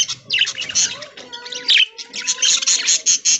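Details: Aviary budgerigars at early-morning feeding on corn in green leaves; bursts of high, scratchy chirps and warbles in quick clusters, with a faint steady tone underneath.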